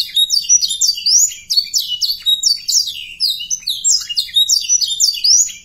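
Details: Canary song to make young canaries sing fast and stir breeding urge: high rising and falling whistles alternating with rapid rattling trills, in steady repeated phrases.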